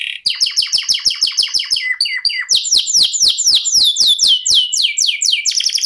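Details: Canary in the long-duration rolling 'ngerol' style, delivering rapid repeated chirps about twice a second, then sweeping downslurred whistles and a quick high rattle to finish.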